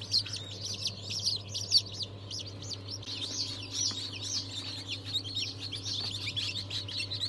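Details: Newly hatched chicks of breeds including Ayam Cemani, Sultan, Cochin, Habesh, İspenç and Wyandotte, hatched 22 January 2023; a dense chorus of high, thin overlapping peeps over a steady low hum.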